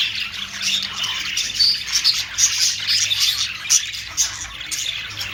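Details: Budgerigar, called Australian parrot, with rapid irregular chirps, about two a second, over a steady high twittering background of overlapping voices.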